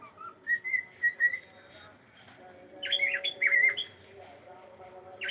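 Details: A pet cockatiel calling indoors: a string of short whistled notes around one pitch, then a burst of squeaky, chirping notes with quick pitch bends, and a final rising note; a faint steady hum runs underneath.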